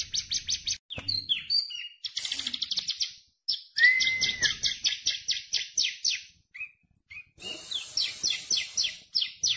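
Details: Bar-winged prinia, a tame bird singing busily: rapid rattling series of clipped high notes broken by a sustained pure whistle and brief chirps, with short pauses between bursts.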